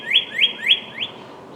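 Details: Short phrase from a northern cardinal: four clear, upslurred whistles, each sliding up and holding briefly, spaced about a quarter second apart. The last note is softer.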